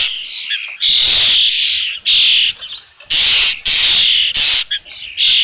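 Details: Loud close Osprey calling at a nest with a fish, Dunrovin Ranch, 3 June 2018, late afternoon: strident high squealing notes in blocks of about half a second, five or six in a row.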